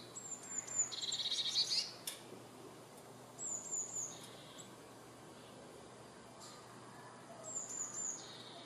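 Eurasian blue tit giving high, thin phrases of two or three sharp notes followed by a quick trill, repeated every few seconds over a soft background hiss.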